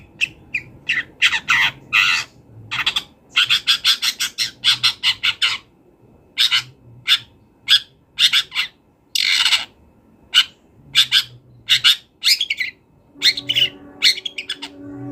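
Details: Long-tailed shrike, a wild bird, in varied full-repertoire song used as a training master: bursts of harsh broadband notes, fast rattling chatters and buzzy calls with short pauses, plus a low hum near the end.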